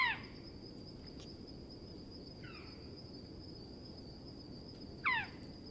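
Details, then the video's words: Australian owlet-nightjar calling three times over several seconds, each a short harsh falling note, the middle one fainter, amid steady background hiss and a continuous thin high whine. "Australian Owlet-nightjar – Sounds & Calls"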